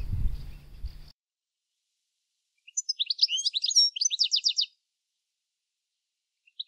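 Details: European goldfinch singing: after a second of a man talking, a two-second burst of rapid, high, tinkling twitters and trills runs fast and jumbled, then silence with one faint chirp at the end.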